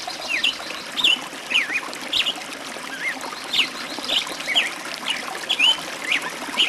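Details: Birds singing in a forest: short whistled slurred notes from several birds scattered over a steady background hiss.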